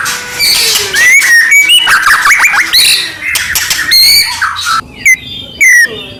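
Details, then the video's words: Song of a white-rumped shama meant to stir other shamas into singing: dense run of slurred whistles, rattling bursts and scratchy notes, ending in short separated high whistled phrases. "murai batu gacor AMPUH buat PANCINGAN murai batu agar bunyi"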